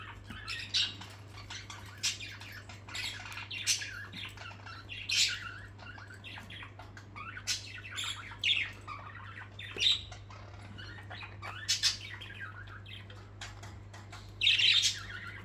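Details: Pet parakeets at playtime indoors, giving repeated short, harsh squawks and sharp chirps every second or so, some louder screeches standing out, over a constant low hum in a small room.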